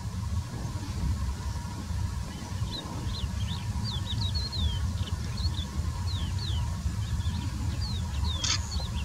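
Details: Collared pratincoles calling: a steady scatter of short, sharp, high chirps and downward-slurred kit notes from several birds at once, set over a constant low rumble of wind or distant traffic.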